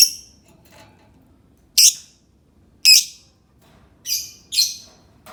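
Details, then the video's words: Lovebird giving loud, harsh, high-pitched chirping squawks, single and in quick pairs, spaced roughly one to one and a half seconds apart, over a quiet background with faint low rumble. "Suara Burung Lovebird"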